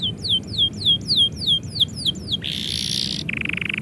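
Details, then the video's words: Canary singing as its owner is about to leave: a series of high descending whistled notes repeated rapidly, then a harsh buzzy burst and a lower rattling trill, over steady low background hum. "kenari bunyi ketika yang punya mau pergi"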